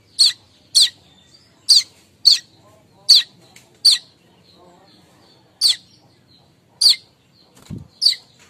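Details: Morning kemrecek chatter of a streaked weaver, used as a lure for weavers: crisp high chips in loose bursts, sometimes two close together, over a quiet background with one faint low thump.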